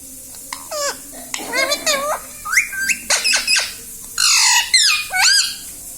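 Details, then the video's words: Parrot talking and saying "Mummy" in a small room: a mix of bending harmonic syllables, clipped squawks and a loud broad burst near four seconds, in quick irregular succession. "Parrot talking video Mummy"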